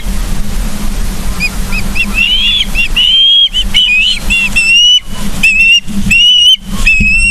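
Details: Nesting ospreys in Charlo, Montana, 31 August 2023 at 09:36, recorded by a nest camera: after a quiet start, a rapid series of squealing whistled chirps, rising and falling, repeated more than once a second, with low humming noise throughout.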